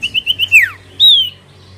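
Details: Common iora, used as a lure to draw other birds into answering: clear whistled notes near the same pitch repeated about every eighth of a second, then a long falling slur and a brief rising whistle.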